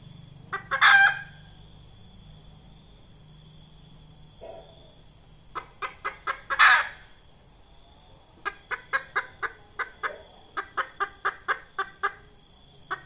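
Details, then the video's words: Red junglefowl hen used as a lure in trapping: a few short clucks, then a loud harsh squawk, then a long series of evenly spaced short clucks, about four per second; a steady high hiss of insects runs throughout. "Tiếng gà mái rừng hay chuẩn"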